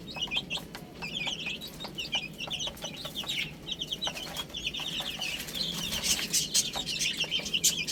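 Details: Several baby chickens chirp while eating spinach: dense overlapping high, short downward-slurred peeps throughout, mixed with sharp clicking taps, probably pecking, growing busier toward the end.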